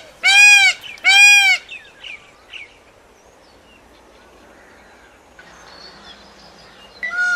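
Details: Peacock screaming: two loud, ringing nasal cries in quick succession, then soft chirps and quiet, and a third cry starting at the end.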